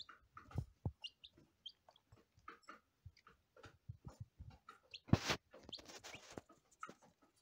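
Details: Day-old lavender Ameraucana chicks give short, high peeps in scattered bursts, with soft low bumps and a brief rustling clatter midway.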